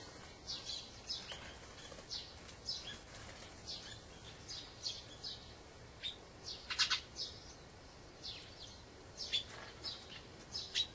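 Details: Wintering dusky thrush, a migrant from the far north, uttering a string of brief, thin, high chirps spaced roughly every half second to second, one louder burst near the middle, over a steady hiss of outdoor noise.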